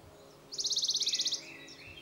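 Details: Western Bonelli's warbler on the plateaus of Spain, between Aragon and Extremadura, gives a dry, even trill of about fifteen quick high notes lasting under a second, over faint outdoor background.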